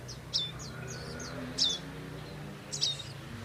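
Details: Bar-winged prinia in the wild, adults tending young, uttering short high chip notes with quick downward-sweeping tails in three bursts, over a constant low droning hum.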